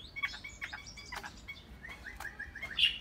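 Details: Caged Chinese hwamei singing a busy string of short whistles and sharp clicks, ending on a bright high note, with low room noise underneath.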